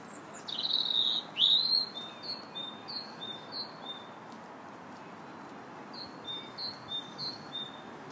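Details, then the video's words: Robin singing in a park on March 2nd: a loud, high, sweeping phrase opens, then thin, high, short notes repeat about three times a second, pause briefly, and resume over a steady outdoor background hiss. "Robin Singing in the Park"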